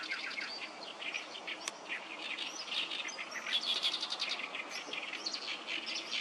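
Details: Noisy chorus of many oriental reed warblers by Sawatari River on 7 June 2024; grating, croaking syllables in fast bursts, one sharp whistled note standing out.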